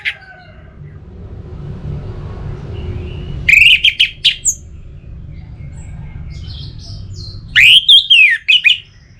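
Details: Orange-headed thrush lure song for prompting birds to sing steadily: after a few seconds of low background hum, a quick series of bright chirping whistles, a pause, then a second short cluster of sharp, rising notes.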